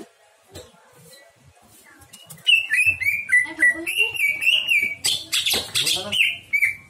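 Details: Greater green leafbird giving a varied repertoire: after a quiet start with scattered soft notes, loud clear whistled phrases begin, sliding and warbling, repeated in quick succession with buzzy bursts near the end.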